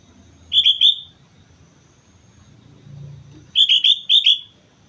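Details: Lively sooty-headed bulbul song on Mount Slamet: a rolling three-note whistled phrase, a pause of nearly three seconds, then a longer bubbling run of five notes. Faint low rumble in between.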